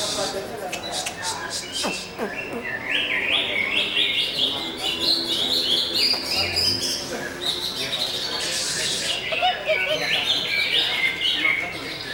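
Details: Busser-style song of a greater green leafbird: rapid, jumbled sequences of sharp chirps and zigzagging whistled phrases, some buzzy bursts, delivered almost without pause for twelve seconds over a steady hiss.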